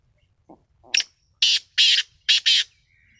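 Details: Black francolin calling: after a faint soft note, a loud, harsh, grating series of four broad rasping bursts spaced about half a second apart, the last two close together, in a quiet setting.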